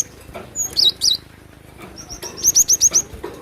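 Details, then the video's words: Cinereous tit singing vigorously, described as a wild natural sound: two twisting, warbled high phrases, a short pause, then a steady run of five loud, sharp chirps. "Glatik batu gacor emosi dengan suara asli alam liar"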